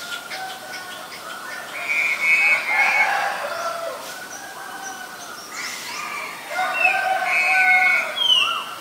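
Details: Black-collared starling, Ubon Ratchathani, Thailand, February 10, 2023. It strings together varied whistled and nasal notes in two bursts, some sliding upward, over steady high chirping from other birds.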